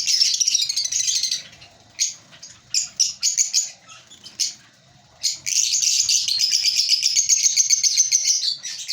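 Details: Colony of breeding African lovebirds chattering, a rapid stream of high chirps, then short separate chirp bursts, then a long continuous twitter of shrill notes to the end.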